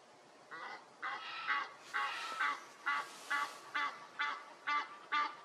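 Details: Egyptian goose giving a rhythmic series of loud, nasal honks, roughly two per second, some notes drawn out and others clipped, over a quiet hissing background.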